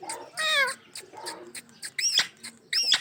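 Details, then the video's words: Pet ringneck parrot producing drawn-out, raspy squawks and downward-sliding shrieks, alternating with short clicking and chattering sounds at an uneven pace. "amazing sounds of my Ringneck parrot"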